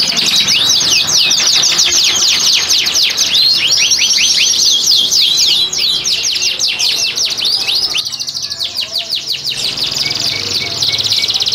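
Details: Canaries in a breeding room in Klaten, Indonesia, singing in breeding condition to bring hens into condition. Long, fast trills of sharp high notes, briefly thinning and quieter near the end, then resuming.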